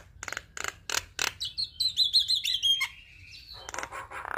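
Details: Javan myna in full active song, used as tutor and lure material for all kinds of starlings: a run of harsh rasping bursts, then a sliding whistled phrase that drops in pitch, ending in more chattering rasps.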